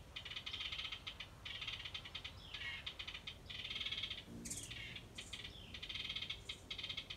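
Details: Repeated buzzy rattles from a wren near a birdhouse, mixed with brief slurred whistles and a sharp high note near the middle, over constant hiss.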